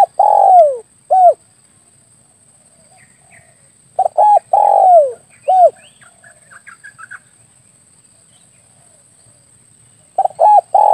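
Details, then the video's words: Spotted dove lure call meant to attract doves when hunting with an air rifle: repeated cooing phrases of short notes, a long falling coo and a short end note, with faint chirps between phrases. "SUARA PIKAT BURUNG TEKUKUR/DERKUKU"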